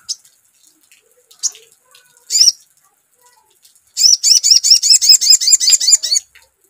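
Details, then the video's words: A crimson sunbird gives a fast, high-pitched run of about a dozen sharp chirping notes lasting two seconds, preceded by a few brief thin chirps. "SEKETIKA LANGSUNG NYAUT GACOR DENGAR SUARA PANCINGAN SOGON"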